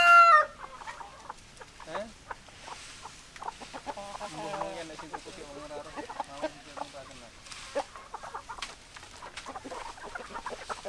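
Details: Chickens clucking, with a rooster's crow trailing off at the start, followed by many short irregular clucks and low murmuring notes from several hens.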